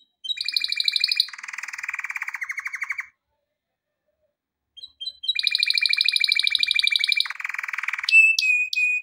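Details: Training song of a male canary: rapid rolling trills with a lower buzzing rattle, a pause of about two seconds, then the trill returns followed by a high whistled note.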